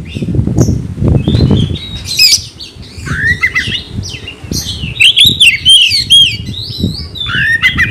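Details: Oriental magpie-robin (kacer) in full, vigorous song meant to rouse another magpie-robin into fighting. Low thumping noise fills the first two seconds, then varied whistled, slurred and chattering phrases follow in quick succession.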